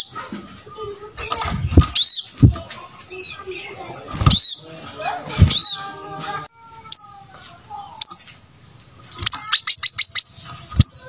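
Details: Brown-throated sunbird in full song for training other birds: piercing high chirps at intervals, ending in a rapid run of five or six sharp notes, mixed with rustling and thumping sounds.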